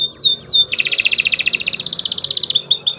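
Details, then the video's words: Nusantara canary singing as tutor material: two sliding whistles, then a long fast rattling double-toned trill, closing with short high chirps, over a low constant background hum. "Kicau Burung Kenari 134 II LUAR BIASA GACOR PANJANG Cocok untuk Masteran"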